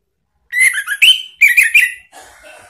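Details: Orange-headed thrush ngeplong lure song for drawing a reply from a pet bird. Two quick clusters of warbled, slurred whistles rising and falling, followed by a softer trailing note.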